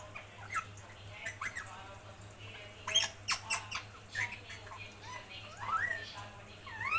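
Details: A pet parrot talks, mimicking speech in a string of short squawky, speech-like syllables that rise and fall in pitch, with louder bursts mid-way and a steady low hum underneath.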